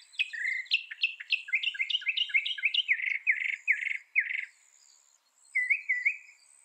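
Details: Mockingbird singing a varied, rapid series of repeated chirped and slurred notes, phrases changing every few repetitions, with a faint high whistle running above and a short pause before a final pair of rising notes.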